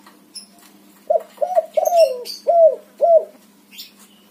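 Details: White spotted dove cooing to lure a silent dove into singing: a run of five short, hoarse coos, each swelling then dipping, spaced about half a second apart, with faint chirps from other birds above.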